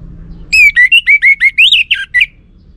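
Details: Lure song of an orange-headed thrush that male birds answer: a clear series of about ten loud, evenly spaced, upward-slurred whistles, slightly varied in pitch, ending with a lower falling note.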